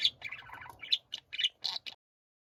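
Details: Pet budgerigars chorusing, brief stream of high burbling warble followed by a string of short squeaky chirps and scratchy notes, ending in silence.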